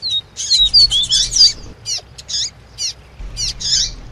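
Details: Tui tui song of a double-collared seedeater mixed with female chirps, played to excite a male. It opens with a rapid run of downslurred whistles, then spaced rising chirps about every quarter second and a closing buzzy burst.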